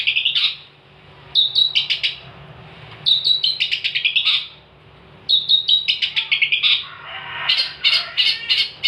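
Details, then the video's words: Long-tailed shrike in full song, used as a tutor for training songbirds: bursts of rapid high chattering and whistled notes with harsh buzzy elements, given in phrases about two seconds long separated by short pauses. "kicauan cendet gacor"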